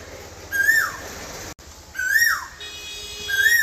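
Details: Asian koel whistling three calls in a row, each note climbing then falling away quickly, about one and a half seconds apart, over steady low hiss.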